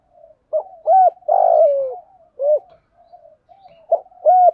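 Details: Spotted dove coos for training other doves, male and female voices mixed; clipped rounded coo notes alternating with a longer rough falling coo, quiet purring murmurs between.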